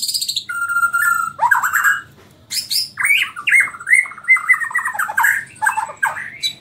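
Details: White-rumped shama from Borneo, kept in a cage, pouring out a continuous rich song of whistles, slurred falling notes and quick chattering phrases.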